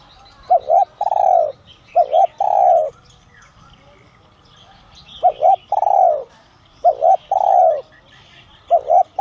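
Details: Spotted dove with a "son" voice type, calling to lure other doves: a low cooing phrase of two short notes then a longer drawn-out coo, repeated four times, with faint small birds chirping behind.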